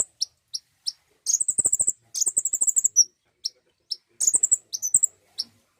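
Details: Common iora sound intended to trigger singing: spaced single chips, then two rapid, high trilled runs, a short downslurred note, and more chips and a final trill.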